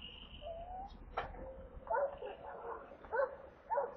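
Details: Stork nestlings in Kaluga Oblast, Russia, late July, at a water delivery: a thin drawn-out whine, a sharp knock, then several short arched mewing calls spaced about a second apart.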